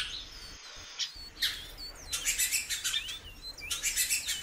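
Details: Female great-billed seed-finch, calling a lot, gives thin whistled slurred notes at uneven intervals, mixed with trains of rapid raspy chirps from other birds.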